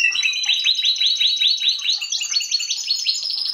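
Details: Canary delivering a fast series of short rising-then-falling chirps, about two and a half per second, growing busier and higher toward the end.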